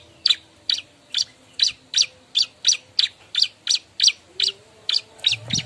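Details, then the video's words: Bar-winged prinia seeking a mate, repeating bright, high, clipped chirps at a fast, fairly even rate of nearly three per second, with a brief low thump at the end. "suara burung ciblek ribut nyari kawan"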